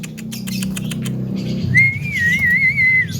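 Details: Javan myna, a mimic said to talk, cough and laugh, giving one clear wavering whistle that rises and falls in small ripples for over a second, after a stretch of low humming background noise.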